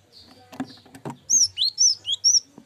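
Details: Tutor recording for songbirds of a cinereous tit: after soft clicks, a rhythmic series of five loud high whistled notes alternating slightly in pitch, each sharply falling.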